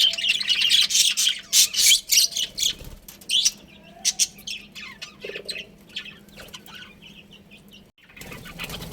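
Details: Budgerigars of a breeding pair chatter in quick scratchy chirps, loud at first then thinning to scattered clicks and tweets, with a soft background hum and a brief wing-flutter-like rustle.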